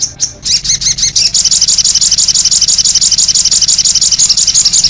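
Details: High-pitched sogon bird song called 'cit anten': a few separated squeaky notes open, then a dense, quick run of piercing chirps repeated nearly three times a second.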